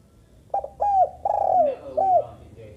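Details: Single phrase from a female spotted dove: a short hoot, a swelling coo, a long coo that slides down in pitch, and a final short coo, in quiet surroundings.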